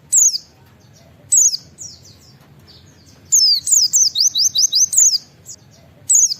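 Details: White-eye giving the 'ngalas nembak wit wit' call meant to lure other white-eyes into calling: isolated high, slurred downward whistles separated by pauses, then a fast burst of repeated falling notes, then another lone whistle at the end.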